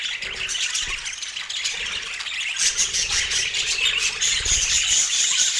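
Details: Colorful pet rainbow budgerigars eating sweet apple, giving steady dense high chirpy chatter with scratchy warbles and squeaks layered together, plus occasional soft low thumps from movement.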